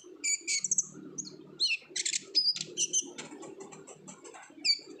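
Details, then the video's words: Olive-backed sunbird in vigorous chattering song meant to prompt other birds to sing: scattered piercing high chirps and short trills, a few buzzy notes, with soft low background noise between phrases. "PANCINGAN KONIN GACOR NGOBRA , KONIN BAHAN PASTI AKAN RAJIN BUNYI"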